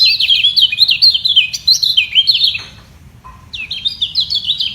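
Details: Yellow white-eye in a song battle to secure its position, both birds equally strong: rapid high twittering for about two and a half seconds, a brief pause, then another quick run of chirps.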